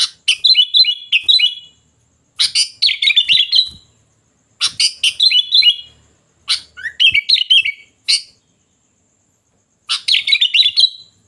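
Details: Sooty-headed bulbul sings loud, lively phrases of quick chirps and warbles, each about a second long, repeated roughly every two seconds with short silences between.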